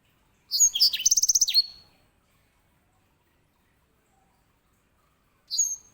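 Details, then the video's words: Grey singing finch, a finch often kept to tutor canaries, giving a high phrase of whistles followed by a fast rattling trill and a falling slur, then silence until a short whistled start near the end. "EDEL SANGER SI BURUNG BERSUARA LANTANG"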